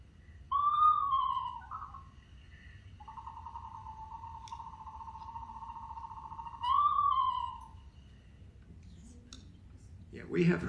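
An Eastern Screech-Owl gives a quavering, descending whinny, then a long even monotone trill, then another short whinny, over a low room hum.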